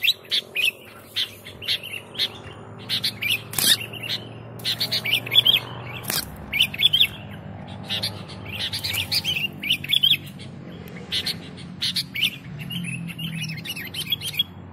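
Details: Sooty-headed bulbul singing steadily as a lure: repeated bursts of sharp chirps and short whistled notes throughout, a couple of loud clicks, and a constant low hum in the background.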